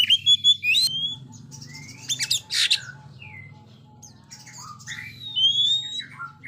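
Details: Oriental magpie-robin singing in ngobra style to test silent young birds. Short loud chirps, harsh broad notes and scattered sliding whistles over a steady low humming background.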